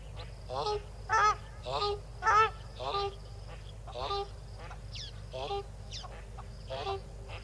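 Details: Yellow-billed duck with six ducklings at Tau Waterhole on 12 February 2022 at 4 PM, filmed on a livecam: a series of about ten harmonic, slightly buzzy calls roughly every half second to second, with thin high sweeping peeps interspersed and a low background hum.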